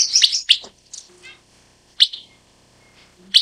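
Broad-tailed paradise whydah giving sharp, high chips and short buzzy bursts, spaced irregularly about a second apart, with a few faint thin whistles between.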